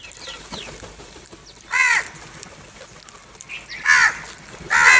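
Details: Crows cawing while fighting over and attacking food: three loud, harsh, hoarse caws at irregular intervals over a faint background of softer distant calls.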